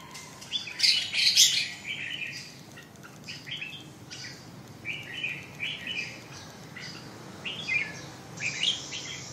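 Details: Red-whiskered bulbul singing: a loud harsh chattering burst at the start, followed by quicker whistled phrases spaced irregularly, then a hissing high note near the end over low hum.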